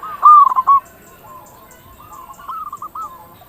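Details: Lure song of an active local zebra dove, to make other zebra doves call: a loud quick trill of coos, then softer, evenly spaced coo notes rising slightly in pitch.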